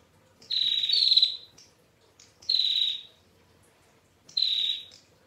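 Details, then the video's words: Song of a female bar-winged prinia in the long, clear ngetir style. Three strong, harsh, buzzy high phrases each flatten and fall slightly, the first longest, spaced about two seconds apart. "PRENJAK TAMU BETINA Gacor NGETIR PANJANG Suara JERNIH"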